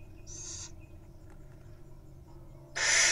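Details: Wild little owl nestlings at the nest, preening and nuzzling each other: a short breathy hiss near the start, then a louder, longer rasping hiss at the end, with low background hum throughout.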